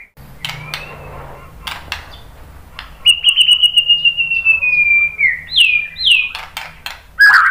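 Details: White-rumped shama, used to provoke other birds into singing: scattered clicks, then a long high whistle slowly falling in pitch, followed by looping slurred notes and a final burst.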